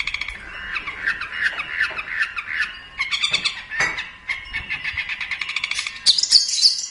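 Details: Long-tailed shrike (pentet or cendet) in a training song for other birds. Lower, rough warbling phrases with harsh grating notes, closing with a few sharp high whistles.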